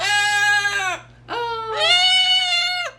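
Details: A female pet cockatoo, talking excitedly at night, gives two drawn-out, nasal, voice-like calls. Each lasts about a second, holding steady then dropping in pitch at the end, with a short pause between.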